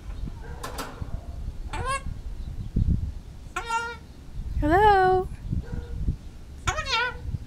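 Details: Female Goffin's cockatoo kept as a pet, outdoors in a backyard, talking to birds in the trees. Five or six harmonic calls, some rising then falling, one louder drawn-out squawk in the middle, with low background rumble.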